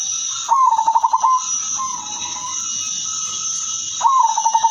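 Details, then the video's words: A female zebra dove of the silver colour form, used to lure other zebra doves, sings two quick trilled coo phrases four seconds apart with softer drawn-out notes between, over a constant high hiss. "perkutut/merbok betina silver suara merdu paling cocok jadi pancingan semua jenis perkutut"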